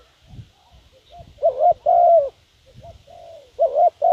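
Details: Spotted dove used as a decoy, cooing to draw in wild doves. It gives repeated low, mellow three-part coos, the longer notes drawn out and gently falling, over faint low thumps and a steady thin background hiss.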